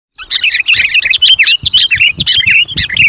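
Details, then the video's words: Sooty-headed bulbul in lively, chatty song used to call wild bulbuls: rapid, tightly packed chirping notes, bright and warbling, running almost without a break across three seconds, with faint low thumps underneath. "Suara Burung Kutilang Gacor Memanggil Kutilang Liar"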